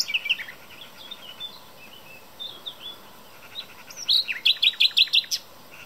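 A common nightingale sings thin, varied high whistles and slurred notes, then a loud, rapid series of six sharp repeated notes. Nothing else is heard.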